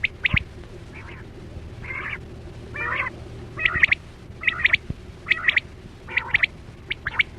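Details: Quail calling used to lure birds into nets: softer buzzy notes at first, then regular bright triple notes about once a second, over a low steady hum.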